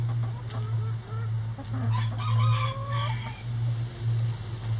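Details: Backyard rooster crowing in the coop while the chickens are kept busy with a hanging cabbage head; a drawn-out, level crow rises out of soft clucking over a steady low hum.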